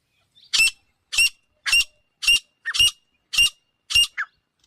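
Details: Male and female grey francolin: seven sharp, bright, evenly spaced notes, each a short ringing squeak with a steady whistled tone beneath, repeated about every 0.6 seconds, with a few fainter squeaks between.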